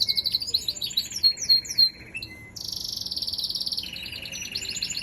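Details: Canary song made of varied phrases: quick descending chirps, a short pause, then a rapid buzzy high trill followed by a lower rolling trill, all bright and continuous.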